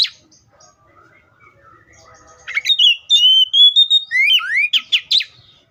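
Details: Oriental magpie-robin giving soft quiet notes, then a loud burst of whistled song with a long level whistle and sharp rising slurs near the end.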